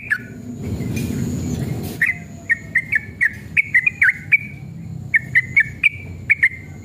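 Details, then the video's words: Male sooty-headed bulbul in excited, combative song with long rapid phrases, meant to prompt other bulbuls to answer. After a noisy, muffled opening, short sharp whistled notes come in quick irregular bursts. "trucukan gacor EMOSI ROPEL PANJANG pancingan trucukan agar bunyi"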